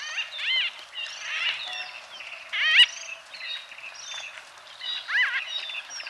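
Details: White-fronted bee-eaters calling in Kenya: loud nasal, harmonic, downward-arched squawks at intervals, the strongest near the middle, over a soft background of chatter.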